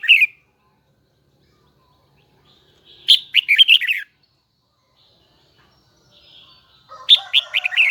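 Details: Caged Hue red-whiskered bulbul singing its high double twisting song in loud bursts of rapid warbled notes separated by several seconds of silence, a lower chatter underneath the final phrase.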